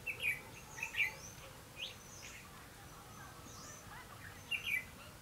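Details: Red-whiskered bulbul heard while being trapped in rain and wind on 31 October 2016: brief chirpy warbled phrases at the start and again near the end, with faint thin whistles of other birds and constant rushing noise between.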